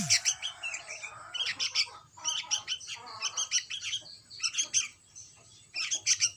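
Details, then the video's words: Young sooty-headed bulbul making bursts of thin, high squeaky chirps separated by brief gaps, fairly steady through the recording. "Anak burung kutilang"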